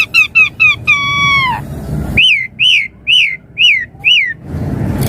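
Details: Singing Javan pied starling (jalak suren), full-variation gacor song for mastering: four short stacked notes and a long downslurred whistle, then five loud arched whistles spaced about half a second apart, with a soft hiss at the end.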